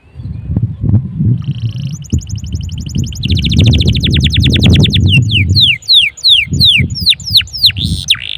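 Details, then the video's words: Canary singing energetically, played so other canaries start singing too: buzzy trill, then dense quick repeated notes and a run of sharp downslurred whistles, with loud low-pitched rumble throughout. "PANCINGAN SUARA KENARI GACOR || kenari gacor ampuh bikin kenari lain ikut gacor"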